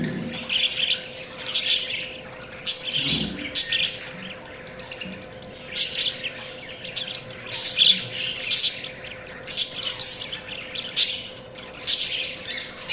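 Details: Budgies chirping: bursts of high, scratchy twittering and chatter in dense clusters about every second, with brief pauses between them, over a steady faint electrical hum.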